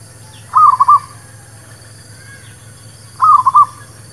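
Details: Local zebra dove song used as a lure for trapping and for newly kept birds: two clear, cooing phrases of three to four quick, rolling notes, spaced about two and a half seconds apart over a low steady hum.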